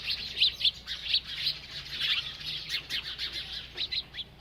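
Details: While feeding, a bird gives a busy run of high chirps, sharp and tinny, several notes a second, fading slightly toward the end.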